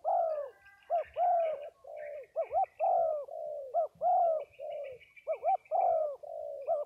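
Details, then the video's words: Several spotted doves calling at a cooing-dove exchange in Dong Thap, Vietnam: deep, hooting multi-note coos repeated in steady phrases, with light chirping from other birds in the background. "Cu gáy 67 : Giao Lưu Các Cu gáy Đồng Tháp"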